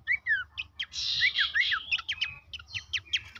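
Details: Horsfield's babbler song played to stimulate caged birds to sing actively: a loud, rapid jumble of sharp rising and falling whistles and chattering notes packed densely together.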